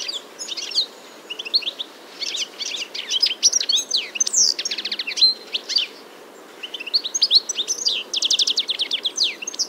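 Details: European goldfinch in early spring, 21 March 2023, Biryulyovsky forest park, Moscow, singing a quick, liquid run of tinkling twitters and buzzy trills, high-pitched, bursting in phrases with brief pauses; no other sounds stand out.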